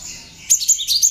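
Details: Hand-reared tame cinereous tit singing with mimicked prinia (ciblek) phrases, used to teach other birds: after a faint high hiss, a short run of four or five loud, piercing high chirps.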